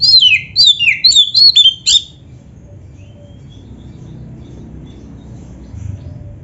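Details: Oriental magpie-robin giving a two-second burst of shrill, falling whistled phrases in full isian style, each note sliding steeply downward, followed by near silence with faint background hum.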